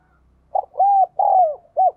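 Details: Spotted dove cooing with the prized 'đồng kim' voice, meant to stimulate caught birds: a short note, a long level coo, a longer coo sliding downward, then a brief clipped final note, all clean and close.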